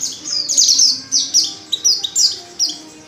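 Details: Rapid high twittering from a female Oriental white-eye, used to lure males into singing: clustered thin notes sliding downward in quick succession, then tapering off.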